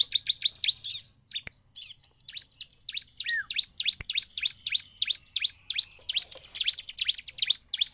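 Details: A Bar-winged prinia in full song, a recording used as a lure to provoke other prinias into singing, gives a fast, lively run of sharp, high chirps, about three notes a second, with a couple of dry clicks.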